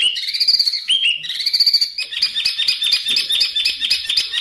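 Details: Songbird master recording for tutoring contest birds, rough rolling (kasaran ngeroll) material. Softer here: a warbling run of high whistles changing pitch, then a steady chattering twitter of quick notes.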